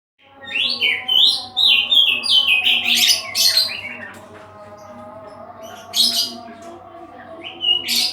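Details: Oriental magpie-robin, known locally as kacer, singing melodiously: a string of varied rising and falling whistled phrases mixed with harsh scratchy bursts, then a quieter stretch before more loud strident notes, over a faint steady hum.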